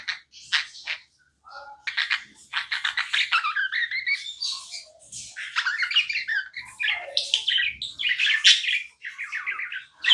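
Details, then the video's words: Tame budgerigar chattering with rapid clicking chirps and buzzy warbled notes, a few lower whistled tones mixed in, delivered in quick broken bursts. "Non stop budgie chirping sounds"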